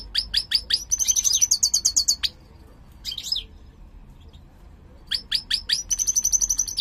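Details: A captive-bred mutant European goldfinch, described as singing poorly, gives two bursts of rapid, high tinkling twitters and liquid trills, separated by a pause with a single brief chirp; quiet background.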